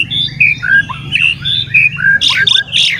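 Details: Oriental magpie-robin (kacer) singing to provoke other magpie-robins: clear whistled notes alternating high and low, several downslurred, ending in two loud harsh bursts, over a steady low-pitched hum.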